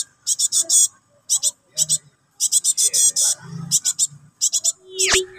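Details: Young cinereous tit begging for its parent in nyerecet style: scratchy, buzzy bursts bunched in rapid runs of three to six, separated by brief silences, ending with a sharp click.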